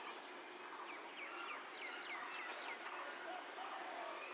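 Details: Common myna perched on a tree giving quick, sharp slurred chirps, several per second, with a few lower whistles near the end, over a steady wash of background noise.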